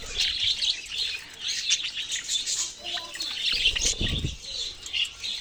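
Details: Steady chattering from a group of budgerigars, rapid high chirps and scratchy warbles layered together, with a brief low thump around the four-second mark.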